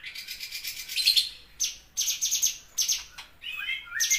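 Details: Bulbul (cucak cungkok) in loud burst song: harsh, raspy high-pitched bursts repeated in quick succession, ending in a few brief whistled slurs.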